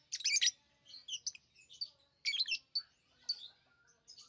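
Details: Lovebirds giving loud, buzzy chirp bursts, the strongest at the start and again midway, separated by softer twittering notes.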